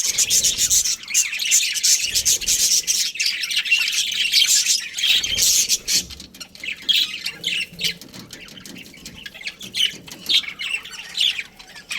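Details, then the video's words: A breeding pair of budgies chattering continuously: busy, scratchy high warbles and quick chirps for the first half, then sparser, broken bursts of twittering with short pauses. "Budgies Chirping Sounds"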